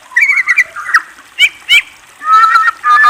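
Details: Murai, the white-rumped shama, gives loud clear whistled phrases: short trilled notes, two quick bright chirps, then a sustained pure whistle ending in a pair of steady tones.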